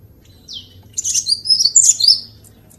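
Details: Cinereous tit, known locally as glatik batu or wingko, used as a vocal master for training other birds: a single down-slurred whistle, then a burst of high, sharp chirps and warbled notes. A faint low hum sits underneath.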